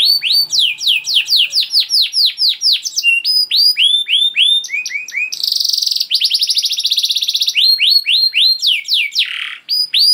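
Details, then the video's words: Canary in a sustained 'gacor' song, played as a lure so canaries start singing fast. Rapid swooping whistled notes roughly four a second, a burst of buzzy trill, then more curved slurs and a falling buzz. "Seketika Kenari Kondisi Apapun Akan Langsung Respon Bunyi Gacor Panjang Tanpa Nunggu Lama"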